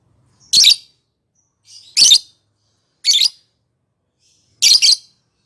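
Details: Lovebird lure call aimed at rival lovebirds: four loud raspy chattering notes, roughly one every second or so, strong and high-pitched.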